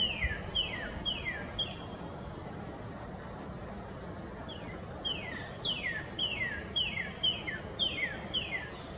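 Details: A male Northern Cardinal sings on a spring morning, bright, clear whistled notes that slur sharply downward, in quick runs of four or five, over a steady background rumble.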